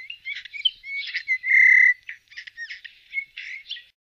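Eurasian bullfinch giving a quick jumble of squeaky, creaky notes with one drawn-out, steady piping whistle in the middle, over about four seconds.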